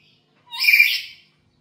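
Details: One grating screech from a home-kept black-capped lory, recorded as a tutor and lure sound. A short soft note leads into a loud, noisy burst lasting under a second, then silence.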